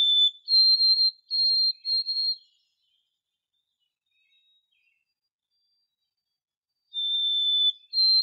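White-throated Sparrow song: a pure, clear whistle that steps up from a lower opening note to a series of higher, evenly held notes, then begins again after a pause.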